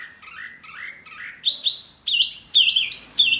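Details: Noisy Wambi bird call that agitates other birds: soft rising whistles at first, then louder, higher slurred whistles in quick bursts, about one and a half per second.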